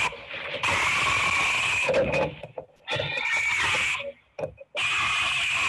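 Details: Great blue heron incubating on its nest, filmed at 3 a.m. while defending it from an attacking great horned owl: harsh, raspy, grating squawks in three long bursts of about a second each, separated by short pauses.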